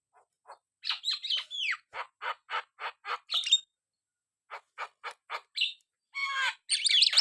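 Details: Energetic Javan myna song made of evenly spaced harsh clicking bursts, broken by squeaky whistled slurs and a pause, ending in loud buzzy, rattling phrases.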